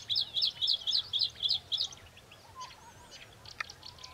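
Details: Bluethroat lured by playback of another bird's song, singing in defence of its territory: a rapid series of seven sharp, repeated high chirps about four per second, then softer varied twittering and scattered notes.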